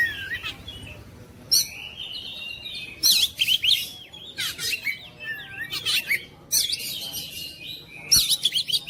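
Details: Oriental magpie-robin pouring out varied song: sweet whistles mixed with loud rasping, buzzy bursts in several clusters, separated by brief quieter gaps, with a sharp click near the end.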